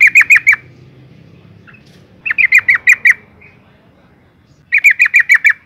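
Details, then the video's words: Breeding female yellow-vented bulbul calling males: three loud bursts of five or six sharp, slightly downslurred notes in fast succession, about two seconds apart, clear against a quiet background. "suara panggilan burung trucuk betina BIRAHI GACOR ROPEL panggil jantan"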